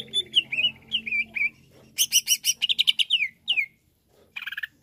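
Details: Song of a greater green leafbird, used to provoke other leafbirds: falling whistled slurs, then a burst of harsh buzzy notes and a quick trill, broken by brief silences.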